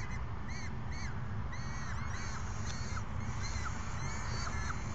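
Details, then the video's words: Young peregrine falcons calling to an adult, May 29, 2022, around midday; scattered hoarse screeches, some rising then falling, over steady low background rumble. "Babies screech at Ares"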